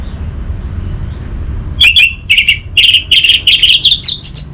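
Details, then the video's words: Lure song of the orange-headed thrush for getting a silent bird to sing: a short lull, then repeated scratchy mid-high notes about twice a second, ending in a higher whistled phrase over low background rumble. "Burung ANIS MERAH Macetan Terpancing Gacor Didengarkan Kicauan Ini"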